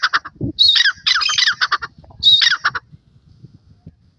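A francolin gives loud, harsh, grating calls in three ragged bursts over about two and a half seconds, each bursting with rasping notes, then falls quiet.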